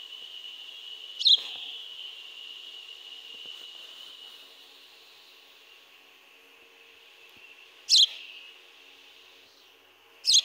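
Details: Pet bird giving three short, sharp, high chirps, one early and two near the end, separated by long pauses filled with a faint, steady high hum.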